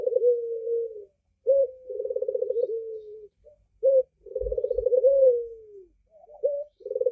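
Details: Red-eyed Barbary dove in persistent song: low rolling coos, each introduced by a brief sharp note, repeating several times. A few faint low thumps are heard partway through.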